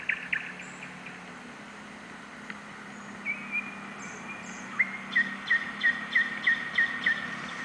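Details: Night song of a nightingale in urban Novosibirsk in July: faint scattered notes and a brief trill, then a clear train of about eight evenly spaced, sharp whistled notes.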